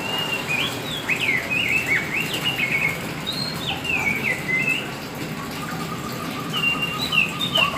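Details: Black white-rumped shama (kacer hitam) singing energetically: clear whistled phrases with quick up-and-down slurs and short repeated notes, over a steady background hiss.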